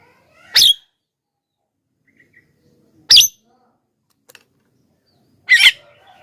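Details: Lure recording of a Javan myna calling vigorously: three brief, scratchy, explosive notes roughly two and a half seconds apart, with faint chirps between them.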